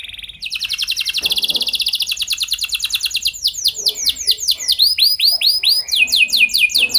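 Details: Canary song used to train other canaries: a loud rapid buzzy trill, then series of arched sweeping whistled notes repeated about twice per second.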